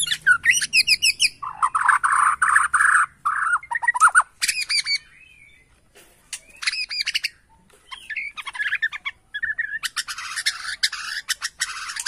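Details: Bornean white-rumped shama calling loudly after hearing a lure recording: rapid rattling notes, a buzzy sustained phrase, varied whistles and a harsh rasping burst near the end.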